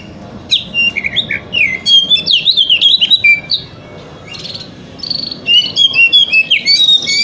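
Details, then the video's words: Wikplong-style song of a kacer, Oriental magpie-robin, used as morning stimulation to make a bird open its tail: long, rich stream of loud whistles, trills and slurred notes in quick bursts, with a brief gap midway. "Pancingan Kacer Wikplong - Cocok Untuk Terapi Kacer Di Pagi Hari Agar Buka Ekor"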